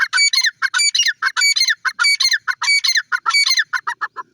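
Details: Black francolin calling while feeding, a rapid series of harsh, grating notes with layered overtones, repeated in bursts of clustered syllables roughly every half second, clear and loud with no other sounds.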